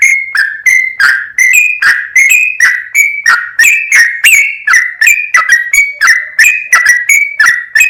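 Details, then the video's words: Trucukan, the sooty-headed bulbul, in energetic full-ropel song: an unbroken run of short, liquid whistled phrases, each sliding between two pitches, repeated roughly three times a second. "MASTERAN BURUNG TRUCUKAN GACOR FULL ROPEL"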